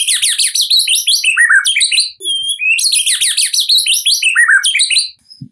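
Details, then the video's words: Loud, high-pitched song of a white-rumped shama in full 'gacor' form, meant to provoke an untrained bird into singing: rapid sparkling trills and cascading descending phrases in two long bursts separated by a brief thin whistle. "Pancingan Murai Batu Gacor Ini, Murai Bahan Pasti Bunyi || Voice of Murai Batu"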